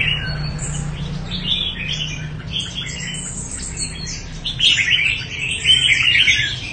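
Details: Red-whiskered bulbul from Đại Quang, Quảng Nam, Vietnam, a bird of fine quality, pouring out quick chirping and warbling phrases that grow louder toward the end, with a low droning hum underneath.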